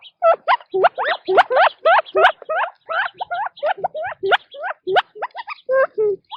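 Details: Quail feeding in their natural habitat: a rapid, almost continuous run of loud, harmonic rising chirps, about three or four per second, from several birds calling together.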